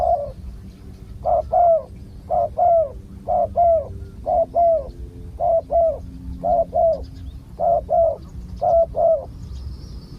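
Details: Wild spotted dove, heard while decoy-luring a wild bird, with a big, deep coo. Low, mellow cooing notes come in close pairs, roughly ten paired coos spaced about one second apart over quiet rural background hum.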